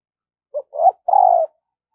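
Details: Decoy spotted dove singing in voice practice meant to attract wild doves: one short phrase made of a soft note, a swelling coo, then a long even coo, against silence.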